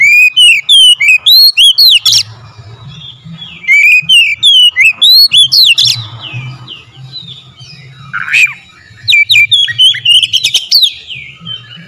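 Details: Lure song of an oriental magpie-robin (kacer), meant to make birds sing loudly and excitedly: three loud bursts of fast, ringing, upslurred whistles and sharp chips, separated by quieter pauses with faint low hum.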